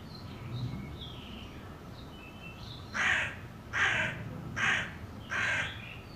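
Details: Hooded crow calling four harsh caws at steady intervals of under a second, preceded by thin chirps and twitters of small birds.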